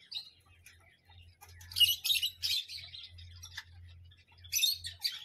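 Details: A parrot gives a cluster of scratchy, grating squawks in quick succession, then a pause, then another harsh burst. Faint chirps and a low hum fill the gaps.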